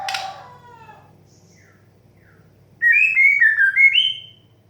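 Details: White-rumped shama 'desahan' therapy song to encourage young birds to sing. It opens with a fading harsh, buzzy sweep, then after a pause comes a fast phrase of rich whistles that falls and then climbs to a high note.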